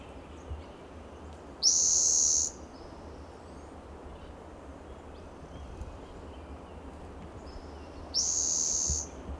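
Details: Spotted Towhee perched in the cool shade of a lichen-covered coast live oak in California's Del Monte Forest, coastal habitat, on a sunny June morning. It gives two loud, high, buzzy trills, each under a second, about six seconds apart, over a steady low hiss.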